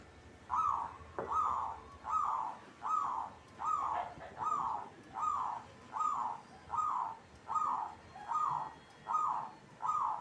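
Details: Local Indonesian zebra dove, or perkutut, singing steadily: short rounded cooing notes repeated at a very even pace, a bit more than one per second, over a quiet background with a faint click near the start.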